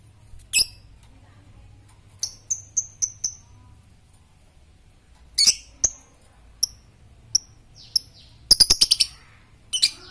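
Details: Fighter lovebird making ngetik ticking sounds meant to stimulate ngekek: sharp, high chips singly and in quick runs of three or four, scattered across ten seconds with a fast burst near the end, over a quiet low hum.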